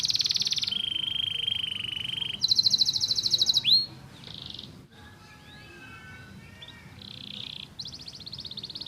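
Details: Canary song for stimulating other birds, shifting between tours: a high dense trill, a lower steady buzz, a very fast bright rattle ending in an upsweep, then quieter warbled twitters and short high trills.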